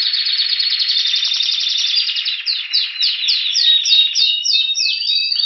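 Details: Spanish Timbrado canary in Anavissos, Athens, Greece, singing in February while awaiting spring; a continuous bell-like roll gives way to a series of slower, evenly spaced descending notes about four per second.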